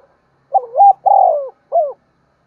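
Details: Decoy spotted dove calling in the morning to attract wild birds; a single clear phrase of a rising double note, a long drawn coo and a short falling final note.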